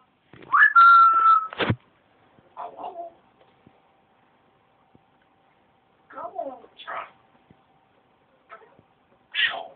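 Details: Pet parrot keeps chattering while covered over after throwing its food: a whistled note and a sharp squawk, then scattered short, speech-like mutterings separated by quiet gaps indoors.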